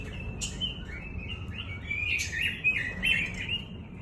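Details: Pekin robin singing: a run of short warbled and chirped notes, some sliding and some clipped, with higher sharp tweets between them, over a steady low rumble of background noise.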